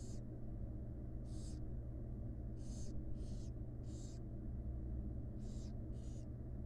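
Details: Begging wild barn owl chicks in a nest box as the mother brings food: raspy hissing bursts, some in quick pairs, against constant low-pitched background hum.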